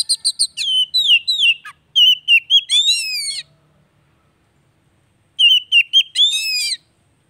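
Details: Oriental magpie-robin (kacer) song used as daily therapy to coax a bird that has stopped singing; two bursts of loud whistled phrases, sliding notes around a steady tone then a harsh rasping flourish, separated by silence.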